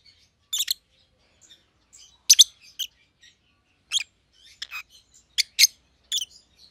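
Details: Rosy-faced lovebirds kept indoors, a white-headed pallid opaline and a white-headed green opaline, producing short shrill chirps in pairs and triplets separated by brief quiet gaps, with faint twitters between.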